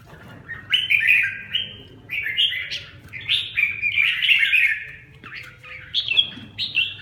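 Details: Caged red-whiskered bulbul kept in Vietnam, singing a series of short, bright warbled phrases with quick upward and downward slurs, several phrases in seven seconds separated by brief pauses, faint low hum beneath.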